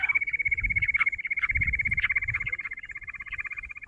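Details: Jungle bush quail in a trapping setting: a long, even, high-pitched trill of rapid whistled pulses, about three to four per second, running through the whole stretch over low background rumble.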